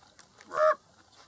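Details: A raven perched at the Grand Canyon rim near people having lunch gives one short, hoarse, honking call of about a quarter second, mid-pitched and slightly nasal. Otherwise quiet.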